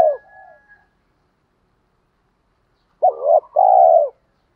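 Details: Spotted dove lure coo used to provoke wild birds: the tail of one phrase, silence, then a full phrase of a quavering double note followed by a long, steady, low coo.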